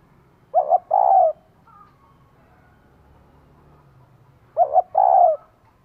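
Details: Female spotted dove calling to rouse a male: two identical phrases about four seconds apart, each a quick double hoot and then a longer falling coo. Quiet background.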